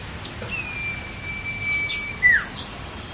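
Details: Common iora, recorded as master training material for songbirds: one long, flat, sustained whistle that ends in a sharp downward slur, then brief faint chirps, over soft background noise.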